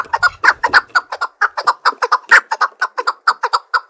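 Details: Chukar partridge, well trained to fight and sing against any partridge, giving a steady string of loud, clipped chuk notes in close succession, some doubled, a faint low noise at the start.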